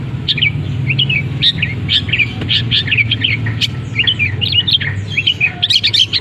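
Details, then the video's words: Long-tailed shrike singing in a cage just after the cover comes off, its song stuffed with canary, sparrow and kapas tembak mimicry; rapid scratchy chirps and short whistled phrases run continuously over a low droning background. "Cendet Gacor Isian Kenari, gereja tarung, kapas tembak"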